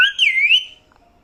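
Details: Pet mithu parrot producing a single loud, wavering whistle that rises quickly, dips and rises again before fading after under a second, in a quiet indoor setting.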